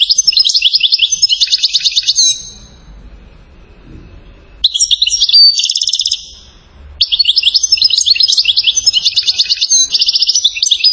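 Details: European goldfinch from Settat, Morocco, praised for its silsila-style song: three bursts of rapid, tinkling trilled phrases with buzzy notes, each about two seconds long, separated by quiet pauses.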